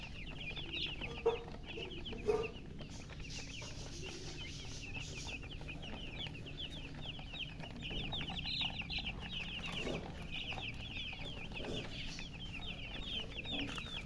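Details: Baby chickens peeping from thirst for drinking water: many thin, high, rapid chirps overlap steadily against constant low background hum, with a couple of louder clicks early on.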